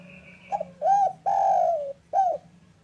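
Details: Local spotted dove calling in the afternoon, used as a lure to get silent doves calling: a short stuttered note, then an arched coo, a long, slowly falling drawn-out coo and a final arched coo, over a steady low hum.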